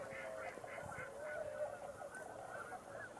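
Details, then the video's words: Night arrival of snow geese in November, many birds giving quick, nasal honking yelps in a busy overlapping chatter, loudest in the first second and then continuing more softly. "Calm before the Snow Geese arrive!"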